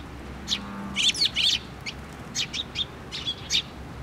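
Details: Loud, close chirping as sparrows gather at a post feeder at a Tenmangu shrine on 24 June 2023: rapid clusters of harsh high tweets, then spaced single chirps, with a brief low hum near the start.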